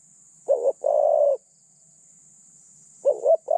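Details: Decoy spotted dove used for catching other doves, with a mid-pitched, lightly phrased voice: a wobbly two-part note then a drawn-out even coo, followed after a pause by the start of the next phrase.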